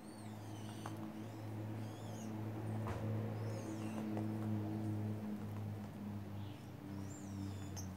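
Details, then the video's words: White woodpeckers in a group giving high, arched, slurred call notes in small clusters every second or two, above a loud continuous low hum with tonal bands. "White woodpecker gang takes over"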